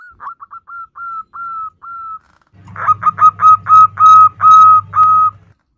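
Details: Female zebra dove (perkutut) calling the male: a quick series of short, soft, level whistled coos, then louder, steady coos repeated about three times per second over a low humming background.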